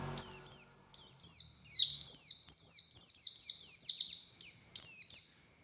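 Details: Oriental white-eye, buxtoni race, in full 'konslet' song: continuous rapid twitter of thin, piercing, falling notes grouped into short bursts roughly every second, a faint low thump at the start, otherwise clean.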